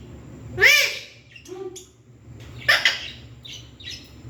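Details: Pet parrot talking: one loud arched, raspy syllable, a pair of short flat tones, then a brighter harsh note followed by soft, high twittering fragments in a quiet room.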